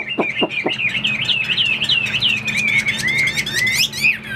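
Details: Captive Chinese hwamei kept as a fighting bird, standing tall and spreading its wings, pours out loud looping whistles that wobble up and down, mixed with a few sharp clicks and a low hum behind.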